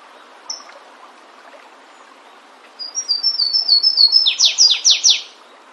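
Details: Flavescent warbler, known locally as canário-do-mato, singing in the wild. An isolated high note comes first, then a fast series of sweet, high chips that ends in several strong, descending slurred notes.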